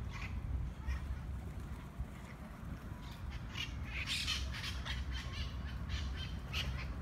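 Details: Monk parakeets squabbling over food in Parc de la Ciutadella, Barcelona, Spain, alongside mitred parakeets calling from above: a quieter opening, then a dense cluster of raspy squawks in the second half over strong low-pitched background rumble.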